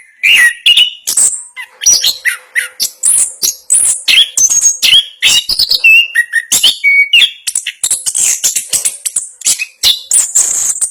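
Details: Long unbroken ngerol song of a national champion Orange-headed thrush: dense high chirping and buzzy squeaks interspersed with short clear whistles, a faint low hum audible in the early part.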